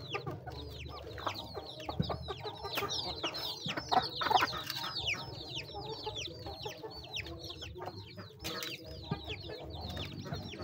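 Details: Flock of chickens feeding, many thin descending peeps tumbling over one another almost continuously, about two or three a second, over a low murmur of clucking and scratching.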